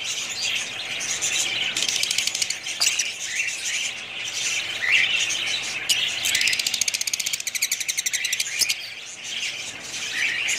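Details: Group of budgerigars keeps up continuous high chatter, and a rapid, buzzy rattle of evenly spaced pulses stands out for about two seconds past the midpoint before the warbling resumes.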